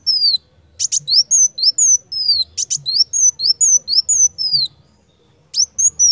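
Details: Energetic tutoring song of a purple-throated sunbird: high, thin, down-slurred whistles in quick series, broken by sharp buzzy double bursts. A brief pause comes before the phrase starts again. Soft low hum in the background.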